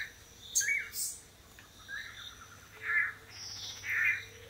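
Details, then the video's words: Several male long-tailed manakins displaying in pairs on a lek in Costa Rica, courting green females; brief buzzy notes near the start, then two rough, burry calls spaced about a second apart over faint background hum. "Courtship Dance of the Long-tailed Manakin"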